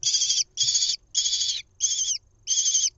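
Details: Lesser kestrel nestling being fed a mouse, nest camera in Israel, 1 June 2021: five loud, coarse, drawn-out screeches, each roughly half a second, the later ones dipping slightly in pitch at their ends.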